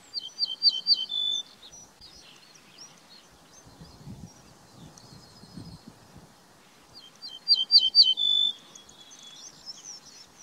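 Ortolan bunting sings two phrases about six seconds apart: a run of four or five ringing high notes ending in a lower, drawn-out note. Faint low rumbling between.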